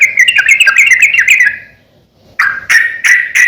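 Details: A busy sooty-headed bulbul phrase of rapid clicking, warbling notes, a short silence, then several sharp separate chirps. Used for training and luring birds.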